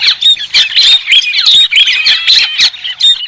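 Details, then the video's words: Harsh, bubbling chatter from a white-crested laughingthrush, delivered in short loud bursts with squeaky upslurred notes and quick pauses between them. "TIẾNG CHIM HÉC SOAN-CHIM ĐẦU TRẮNG KHÔNG TẠP ÂM"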